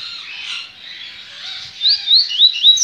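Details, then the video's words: Double-collared seedeater from a licensed breeder, singing coleiro baiano style on 23 November 2019. A soft warbled start, then three or four loud, clear whistled notes that each slur upward and then down, close together. "COLEIRO BAIANO"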